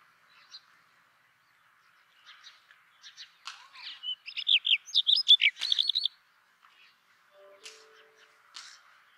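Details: Brown rock chat, or Indian chat, with scattered soft chips building into a loud burst of varied warbled and twisted whistles in the middle, then fading to sparse faint notes and a low mechanical hum.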